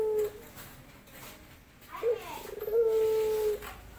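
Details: A male dove courting a female ends one sustained coo, then gives a short note followed by a pulsed lead-in and a long, level, low coo lasting nearly a second.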